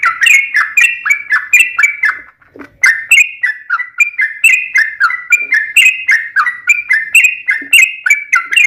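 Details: Sooty-headed bulbul (trucukan) in energetic 'gacor' fighting song of the long 'ropel panjang' type: quick, bubbly two-to-three-note phrases repeated nearly four times a second, with one brief pause near the middle.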